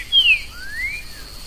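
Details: Green-winged saltator free in the forest: two clear whistled notes, the first sliding downward and the second rising gently before fading, over a quiet rural background.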